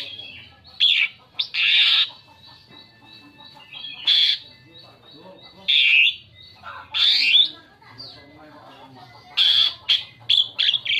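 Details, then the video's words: Asian pied starling singing a lure song for attracting other birds: loud harsh squawks and gurgling bursts delivered in separate clusters with short pauses between them, with some whistled notes mixed in. "Kicau variasi JALAK SUREN"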